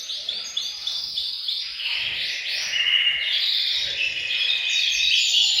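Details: Canaries chorus together in a bird room to encourage males to sing. Quick rising-and-falling trill bursts repeat several times a second, building into a fuller, louder rolling warble toward the end.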